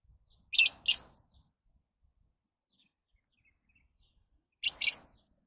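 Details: Lovebird with two loud, shrill, rasping chirps close together, a few faint high ticks, then a long pause and another pair of harsh squeaky notes.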